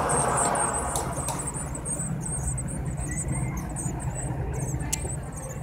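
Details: Eurasian blue tit chicks, 7 to 9 days old, beg during a feeding visit with rapid, sharp, very high-pitched squeaks, interrupted by a few sudden clicks. A constant low hum sits underneath.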